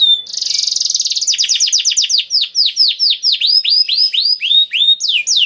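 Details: Energetic 'gacor' kenari song: a dense high rattling trill that slows into a series of clear, falling whistled notes repeated roughly every quarter second.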